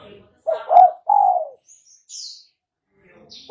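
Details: Single low coo phrase from a spotted dove, used as a trapping lure, a short hiccuping note then a long falling coo, followed by a faint high chirp.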